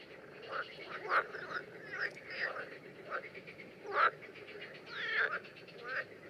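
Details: Common terns during mating behaviour in the Danube Delta in June 2016: harsh, ringing calls with strong overtones come at irregular intervals, roughly every one to two seconds, over a steady background of croaking frogs.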